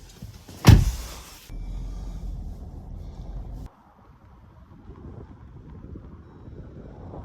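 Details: One sharp knock is followed by low wind rumble and microphone handling noise, then quiet; no animal sounds are heard.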